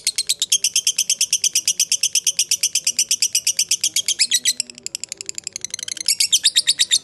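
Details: A fighter lovebird's long ngekek lure sound: a steady rattle of high, piercing notes that briefly softens and turns ragged midway, then returns at full strength.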